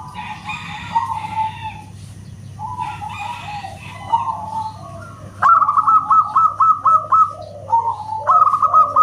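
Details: Zebra dove (perkutut lokal) with a loud whistle-like song: a harsher, harmonic-rich call first, then bright rapid series of clipped coo notes in two runs, with background hum.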